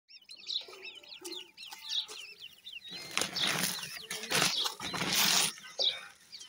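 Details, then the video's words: Grey francolin (teetar) chicks giving a dense chorus of high, thin peeping chirps, many overlapping short down-slurred notes, joined in the second half by loud rustling and scraping bursts. "teetar bird chicks,grey francolin birds chicks awaz"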